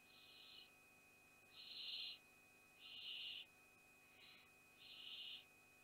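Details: Barn owl family at Théding on 14 June 2021, the day of first flight from the nest. Four rasping, breathy hisses, each about half a second long, follow one another at uneven gaps over a constant thin electronic tone.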